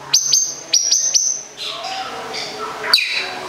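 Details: Long-tailed shrike from Gedong Songo, Central Java, opening with clipped high whistled notes in quick pairs, then softer scratchy chatter and one sharp harsh note.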